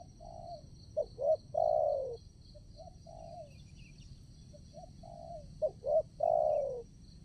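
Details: Spotted dove decoy luring wild doves for trapping; loud coo phrases of two short notes and a long descending coo, a quieter dove answering between them, over continuous high-pitched insect noise.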